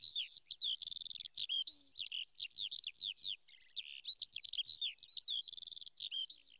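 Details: A crested lark, a ground-nesting bird of flowering fields, sings a rapid, unbroken stream of high, twittering and slurred whistled notes with short trills, pouring on without pause.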